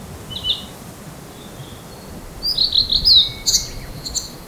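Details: Blue-and-white flycatcher singing in spring at a field it returns to each year, one of two birds in a territorial dispute, recorded at close range with a camera microphone: a faint whistled note, then a rapid run of bright high warbled notes.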